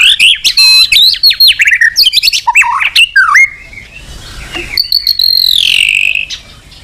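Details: White-rumped shama song played to spur other birds to sing: dense jumbled chattering and whistled notes for three seconds, a lull with soft sounds, then a long high drawn-out whistle falling in pitch.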